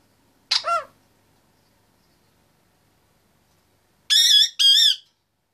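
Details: Indian ringneck parakeet, a 25-month-old male chattering in his cage, gives a brief harsh descending squawk, then after a pause a doubled clear whistled note, pure and tonal, in an otherwise quiet room.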